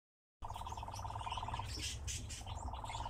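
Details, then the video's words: Captive nightjar singing while dancing: after a brief silence, a steady mechanical churr of rapid, even pulses starts, pauses near the middle, then resumes, with faint chirps of other birds above. "Пение и танец козодоя"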